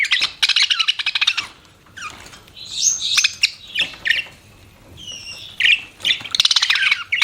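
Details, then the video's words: Pet budgerigars chirping: dense bursts of rapid, buzzy warbling chatter mixed with short whistled notes and rising squeaks, pausing briefly between outbursts. "BUDGIES CHIRPING SOUND"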